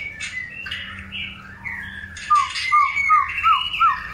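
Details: White-rumped shama of a long-tailed type, heard while being paired for breeding: harsh squawky notes open, then clear slurred whistles and a series of short upward-flicked notes repeated about every third of a second.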